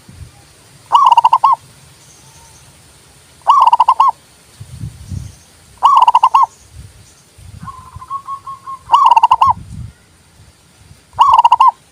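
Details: Zebra dove repeatedly singing, recorded to spur other doves and attract birds: five loud pulsed coo phrases at irregular intervals, a fainter dove's even string of coos in between, and low thumps and rustles.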